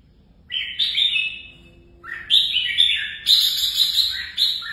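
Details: Contest-trained red-whiskered bulbul singing three lively warbled phrases of bright, slurred whistles, the last ones loud and dense, with short gaps between them.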